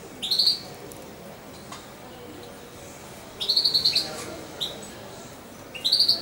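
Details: Nearly two-month-old European goldfinch, hand-fed as a chick and kept indoors, calls in quick runs of bright, high twittering chirps, three bursts spaced a few seconds apart, with silence between.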